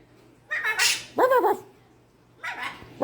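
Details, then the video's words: A pet macaw, one of two, gives four harsh, dog-like barks over three seconds, two close together, then a pause before two more, over a faint low hum. "ever seen a barking macaw?"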